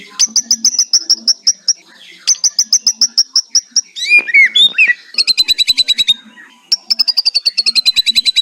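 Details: White-rumped shama singing kretekan: repeated bursts of quick, evenly spaced high ticking notes broken by a short run of looping whistles, then longer rapid trills.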